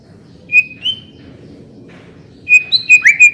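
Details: White-rumped shama lure recording to prompt singing: a few clear level whistles, a pause, then a quick burst of whistled notes ending in a sharp upslur, quiet background.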